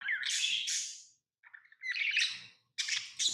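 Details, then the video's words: Tame pet lovebirds chirping: harsh, buzzy high chirps in three loud bursts, each swelling then fading, separated by short silences. "Love birds Sounds | lovebirds chirping sounds"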